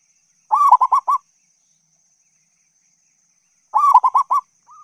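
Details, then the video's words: Lure recording of a local zebra dove for attracting other doves. Two bursts of rapid, bouncing coos about three seconds apart, with a faint note beginning at the end. Nothing else is heard. "Suara Perkutut Lokal GACOR ‼️ Masteran Pancingan Perkutut MANJUR."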